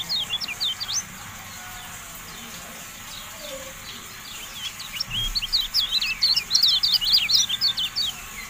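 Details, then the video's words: Javan white-eye song for training caged birds: short groups of thin, high chirps open the clip, then after a pause a louder, faster chattering run of sharp rising and falling notes, with a low hiss behind. "MASTERAN TERBARU KECIAL KUNING, FULL AUDIO"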